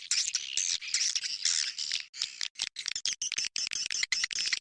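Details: Swiftlet sound used to attract swiftlets: dense, rapid high twittering chirps, nearly continuous for the first two seconds, then broken into short bursts separated by brief silences.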